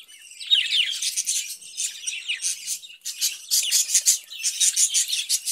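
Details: Caged budgerigar warbling: rising and falling chirpy phrases at first, then faster pulsed twittering with rhythmic high notes toward the end.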